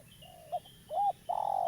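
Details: Local spotted dove, a lively bird used as a trapping lure, makes a brief run of hollow coos: a soft level note, a short rise, then two loud sustained coos, with a faint high chirp behind.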